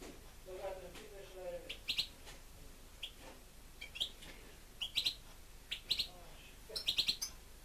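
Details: A pet European goldfinch singing indoors: quiet, scattered high chirps and short twittering notes, loosely spaced over several seconds, with faint low murmuring early on.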